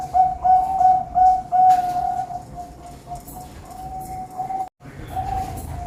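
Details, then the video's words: Captive zebra doves at a bird farm in Pamekasan, Madura: a steady mid-pitched whistled cooing, with short swelling notes repeated in quick succession early on, then longer level tones over a constant noisy hiss and a brief dropout. "Suara Perkutut"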